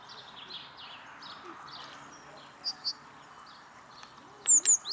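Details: European robin singing in Tivoli Landscape Park, Ljubljana, on 28 February 2024: thin, high, faint warbled notes, then two sharp high notes and a loud pair of thin falling whistles, over steady distant hum.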